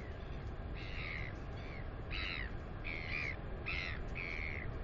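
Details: Northern royal albatross chick, 218 days old, at its nest area on 9 April 2020, exercising its wings and squealing with delight: a run of short harmonic squeals, roughly six in under five seconds, over steady low wind rumble.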